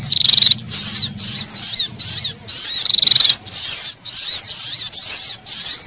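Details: Threatened sunbird screaming in alarm, combined with prinia calls. Thin, wavering shrieks repeat in quick bursts, mixed with a flat buzzing tone early on, over a faint low hum.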